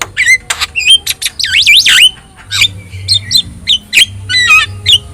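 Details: Javan myna (jalak kebo), yellow-eyed, in full song used as a training model for other songbirds in Indonesia; loud harsh squawks mixed with sweeping whistled notes that rise and fall, delivered in rapid bursts, faint low hum beneath.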